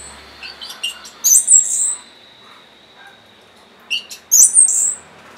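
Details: Orange-headed thrush singing, offered as a prompt for birds that are stalled or lazy to sing: two short bursts of high squeaky, sweeping notes with brief chirps in between, separated by a quiet pause.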